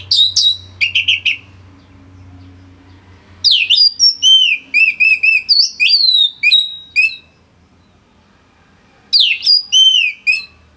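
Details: Orange-headed thrush in Singaraja, North Bali, singing dense song for training other songbirds: rapid bursts of sliding, looping whistles and sharp notes in long phrases, silent gaps between them, over a faint low hum.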